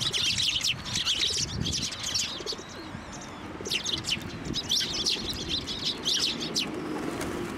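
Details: Sparrows flocking onto a feeding hand at a Tenmangu shrine, 18 March 2024; bursts of high twittering chirps with a quieter gap mid-way, and soft wing flutters and low background sounds.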